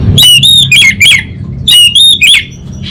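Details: Orange-headed thrush singing in the gacor 'kabel konslet' style: two bursts of four harsh, buzzy, harmonic notes around a bent tone. Each note rises and falls. A low hum runs underneath.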